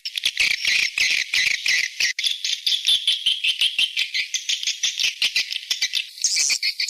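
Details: Swiftlet lure sound of the 'seruling sakti' type, used to bring birds to a nest house: steady shrill twittering with rasping, rattling chirps packed closely together and a brief sharper burst near the end.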